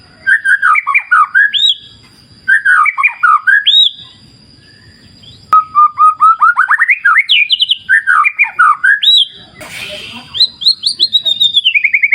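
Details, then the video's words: White-rumped shama song in a wild clear-river nature therapy recording: bursts of rich whistled phrases, down-slurred notes and quick chattering runs separated by short pauses, with a soft low rumble of flowing water beneath. "Terapi Murai Batu Ala Alam Liar Sungai Jernih"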